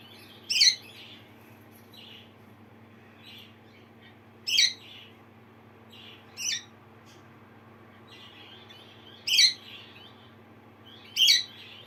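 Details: A pet Lineolated parakeet reacts to a playback of its own contact call with short, bright, squeaky chirps in irregular bursts every few seconds, some loud and some softer, over a faint steady hum.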